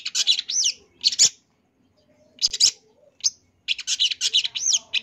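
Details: Long-tailed shrike (cendet), called a champion, delivering a full 'isian' song for tutoring birds: clusters of harsh, high chirps and looping slurred notes, broken by a silent gap of about two seconds.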